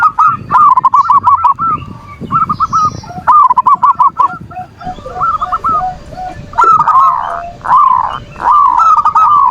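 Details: Zebra dove manggung song used to bait a rival's emotions and bring doves into breeding condition; several overlapping series of rapid cooing notes, some phrases ending in longer drawn notes, with a steady faint hum.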